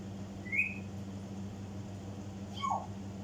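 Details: African grey parrot imitating sounds in a room, giving a short high whistle, then after two seconds a quick downward-slurred whistled note, against a steady mechanical hum.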